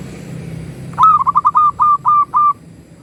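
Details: Local zebra dove singing loudly, recorded as a master lure to provoke other doves to call: eight steady, low, staccato cooing notes in quick succession, the final ones longer and more drawn out, over a light rumble of background noise.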